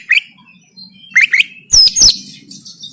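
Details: Kacer, the oriental magpie-robin, fighting-style song from Banten, Indonesia, recorded by Android phone: short upswept chips, then two harsh loud squeaky bursts trailing into high thin notes.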